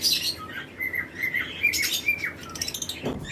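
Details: Lovebird pairs in a flight colony at breeding time utter short high chirps mixed with thinner whistled notes, somewhat sparser calling ending in a soft knock.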